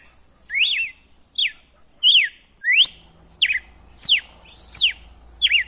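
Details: Red-cowled cardinal song, wild style, used to fire up a captive male: eight evenly spaced whistled phrases, mostly swift downward sweeps with a few hooked up-down notes, under a low background hum.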